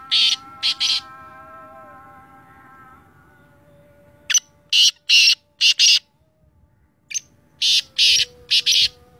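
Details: Black francolin, called Sindhi teetar, repeating rough grating phrases of three to five clipped rasping notes with gaps of a couple of seconds, over soft sustained tonal humming.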